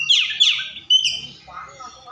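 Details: Oriental magpie-robin song: two quick descending whistled sweeps, then a brighter rising note and fading, softer warbled fragments, with faint low background hum.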